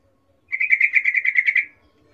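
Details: Female sooty-headed bulbul calling to a male with a birahi 'ngecuplik' call: a single fast burst of about a dozen sharp, even chattering notes, steady in pitch, lasting just over a second in otherwise quiet surroundings.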